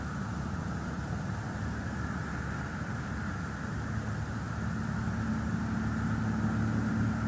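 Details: Steady low engine drone from a vehicle or aircraft, with no animal calls.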